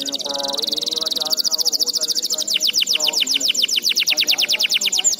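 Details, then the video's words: Young-canary training recording of canary song: a bright rapid trill, then a long run of sharp descending notes repeated about five per second. Soft low speech sounds underneath. "MASTERAN AMPUH COCOK BUAT KENARI PAUD JADI RAJIN GACOR NGEDOR"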